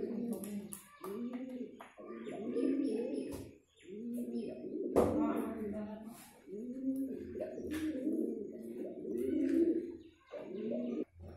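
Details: During pigeon courtship, low throaty coos come in bursts of about a second each, separated by brief gaps, with a few sharp clicks and knocks between them.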